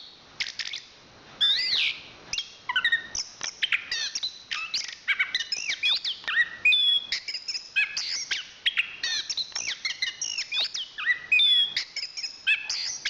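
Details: National champion Chestnut-capped thrush pouring out a long, continuous, rich song of high whistles, trills and sharp slurred notes with scarcely any breaks.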